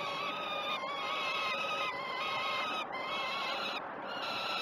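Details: Peregrine falcon chicks at the Great Spirit Bluff nest calling to be fed on 12 June 2018 at 06:20, picked up by a live cam; drawn-out, strained harmonic screeches with brief gaps, voices overlapping throughout.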